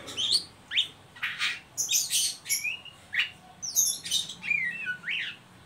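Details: Ngeriwik call of an Oriental magpie-robin, used to stimulate young birds into singing: a steady run of loud rasping, buzzy bursts roughly twice a second, interspersed with sweet whistled slurs and upward-sweeping notes.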